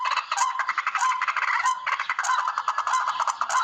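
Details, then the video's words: Harsh, rapid, stuttering chatter of the barred rail, used to lure birds for hunting, with notes pulsing quickly in two long, raspy bursts separated by a short gap. "TIKLING SOUND EFFECT"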